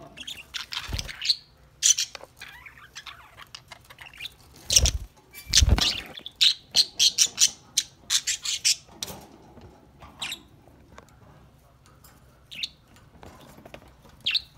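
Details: Several pet budgies enjoying a corn treat, playing and singing together: bursts of bright, scratchy chirps and short squawks, loosest in the middle, mixed with a few low thuds and knocks.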